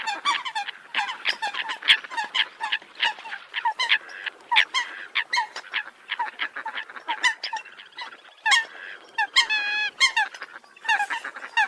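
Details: Eurasian coots call constantly: quick, clipped honks come several per second, joined late on by a few longer, wavering, bent notes, with many birds overlapping.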